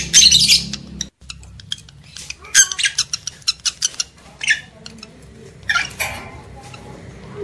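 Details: Lovebirds played to stimulate breeding desire in males and females: rapid, shrill, scratchy chirps and squawks in irregular bursts, some dense buzzy outbursts, with abrupt cuts in the recording and a low hum beneath.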